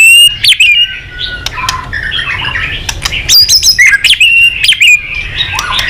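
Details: Murai batu singing hard with a full mimicry filling, meant to excite other shamas: tangled whistled slurs and sharp scratchy notes, with loud clicking bursts scattered throughout.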